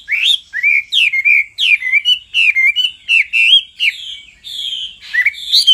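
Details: Male hwamei singing after being stirred up by a female's insistent calls, a lively stream of loud, clear whistled phrases, each swooping down then up, delivered almost without pause.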